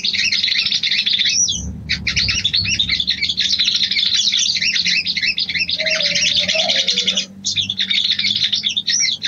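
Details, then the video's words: Female sooty-headed bulbul luring a male with its mating call: busy, high chattering bursts separated by two short silences. A faint lower whistle is heard midway. "SOGON BETINA MEMANGGIL JANTAN‼️ PANCINGAN BIRAHI"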